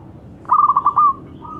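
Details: Young local zebra dove with a big voice, used to stimulate other birds into singing, delivering one short phrase of quick bubbling notes that ends in a longer held tone, followed by a faint second note.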